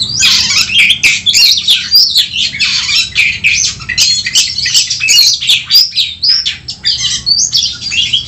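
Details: Oriental magpie-robin (kacer) singing in a fighting, emotion-stirring mode: a dense, fast stream of high, varied whistles, chatters and squeaky notes pouring out almost without pause, with a faint low hum underneath.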